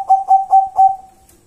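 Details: Local zebra dove cooing: four clear, level, whistled coo pulses in quick succession, each swelling and fading, ending in a long thin trailing tone that fades out; quiet background.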